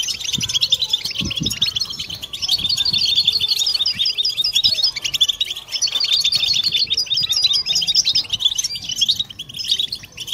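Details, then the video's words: Collective song of European goldfinches intended to stimulate males and females toward mating song: long, crowded bursts of tinkling chirps and buzzy trills continue almost unbroken, with occasional soft low knocks. "بتبتة حسون جماعية ضرورية لعلاج سكوت+تحفيز إنات لحسون قوى بتبتة جماعية لتحفيز حسون على تغريدة تزاوج"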